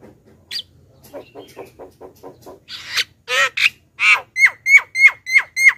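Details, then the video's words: Black-winged myna, morning lure call used to draw wild birds and young birds closer: a run of soft rapid chattering notes, then harsh rasping bursts, ending in clear whistled notes repeated about every quarter second. "suara JALAK KEBO pikat"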